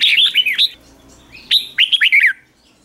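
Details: A red-whiskered bulbul sings morning song used for training other bulbuls: two quick bursts of bright, liquid whistled notes, each a chain of four or five rising and falling phrases, separated by a short pause.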